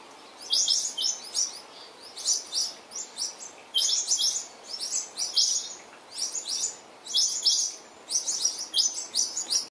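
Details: Several New Holland honeyeaters at a shower party, which disturbed a resting mother western grey kangaroo and her joey, give sharp, high chattering calls in quick bursts, roughly two or three a second, overlapping.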